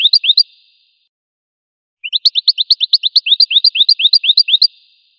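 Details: A short goldfinch fragment is followed after a pause by a long, fast string of bright upward-slurred notes, repeated about four times a second.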